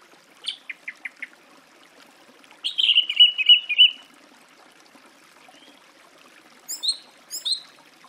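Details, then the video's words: Song thrush singing varied phrases: four short clicky notes, a buzzy warbled run, then high sharp repeated notes. "Голоса птиц. Дрозд певчий (Turdus philomelos)"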